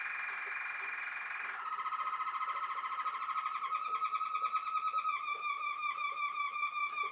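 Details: Waterslager canary song, the Belgian breed prized for sounds likened to flowing water and bubbles: a long sustained rolling trill that shifts in pitch partway through and grows more pulsed toward the end.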